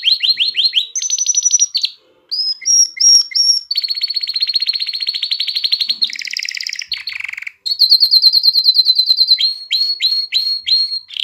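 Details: Canary song used to excite hens into mating and encourage young birds to sing, built from varied phrases: quick descending chirps, long buzzy rolls, sharp repeated whistles and a high fast trill, with brief pauses between tours.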